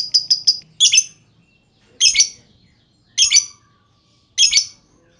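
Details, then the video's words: Lovebird calling as a lure for other lovebirds: a quick burst of three clicking notes, then four loud raspy chirps about a second apart, with faint low background hum. "Auto Bikin Gacor Burung Lovebird Lain Dengan Pancingan LB Ngetik Lanjut Ngekek Panjang"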